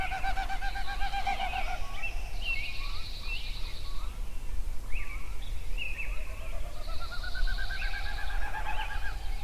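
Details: Dawn chorus of songbirds at Yellowstone at sunrise: many overlapping whistled phrases, slurred upward notes and two bursts of high buzzy trilling, layered over a constant low rumble.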